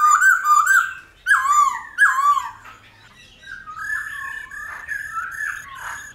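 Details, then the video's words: Laughingthrush song in the mature forest style, meant to stir wild-caught birds: loud warbled whistles swooping up and down, followed by softer, quieter wandering whistled phrases. "Khướu Hót giọng GIÀ RỪNG - GIỌNG HAY - NHIỀU GIỌNG kích khướu bổi. luyện khướu bổi hót căng lửa"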